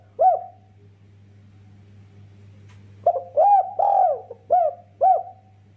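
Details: Spotted dove cooing, meant to get other birds singing: one lone coo, a quiet gap of nearly three seconds, then a quick series of four to five coos, the middle ones longer and fuller, low hum throughout.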